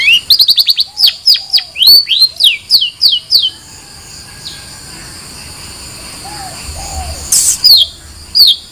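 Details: Long-tailed shrike singing a rapid series of high, downward-slurred chirps for about four seconds, then a quiet pause with faint soft notes, ending with a few more sharp chirps.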